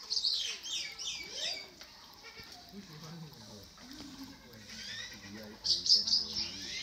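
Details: Eurasian magpie in the Phoenix Valley bird park of Taiwan's National Museum of Natural Science, giving harsh, scratchy chattering bursts at the start and again near the end, with faint low voice-like sounds in between.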